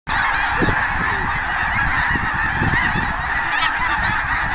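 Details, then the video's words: Hundreds of wild snow geese lift into flight from cornfields at Bosque del Apache wildlife preserve, January 2014, just before sunset; a dense, continuous wall of overlapping nasal squawks and honks fills the whole recording with no pauses. "The "squawking" sound is from the geese"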